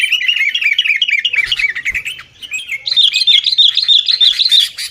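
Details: Sooty-headed bulbul's noisy 'gacor' fighting-style chatter, a lure for getting caged birds to sing; fast wavering notes run without a break, climbing slightly higher during the second half.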